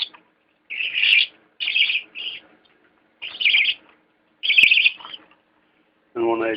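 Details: Young budgerigar chicks, growing bigger, give harsh, raspy bursts of chatter in short repeated runs, with a person speaking at the end.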